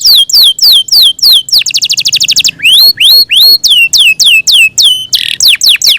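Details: Yorkshire canary, a caged songbird, mixing loud slurred whistles that dip and rise with a short rapid trill and a brief harsh buzzy note near the end.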